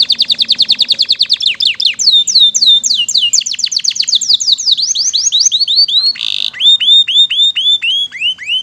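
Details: Long canary song with rapid repeated descending chips, then looping rising-falling whistles, a brief harsh buzzy roll, and further bright curved whistles repeated steadily to the end.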